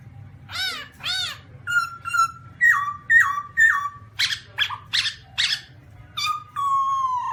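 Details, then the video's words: Varied calls of a black-throated laughingthrush: paired arched harmonic notes, then a rhythmic string of short downslurred whistles about two per second, a few broad harsh bursts, closing on a sustained falling whistle over a faint low hum. "Birds Black-throated laughingthrush (Garrulax chinensis): Funny Sounds And Funny Dances"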